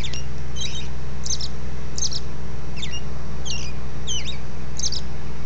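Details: Dawn song of a robin: clipped, high, twisting whistled notes in quick succession, some doubled, with brief gaps between, set against a steady low droning background.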